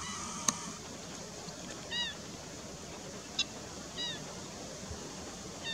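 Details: Black-winged stilt uttering slurred, slightly downward nasal notes at intervals of one to two seconds, with a sharp click and steady background hiss.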